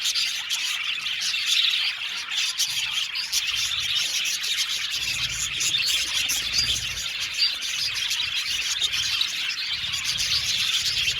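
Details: A colony of about 70 budgerigar pairs kept in an aviary fills the air with even, high-pitched twittering and chirping from many birds at once, a continuous hiss-like chorus with small squeaky accents.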